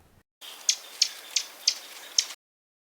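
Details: Lincoln's Sparrow (Melospiza lincolnii) call: five sharp, smacking 'check' notes, spaced roughly every third to half second, high and dry against a faint hiss.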